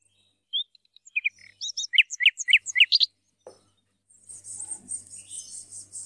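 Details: From an Algerian goldfinch hybrid in 2017, a short burst of high chirps and a quick run of rhythmic two-part notes, then a steady high hiss fills the last two seconds.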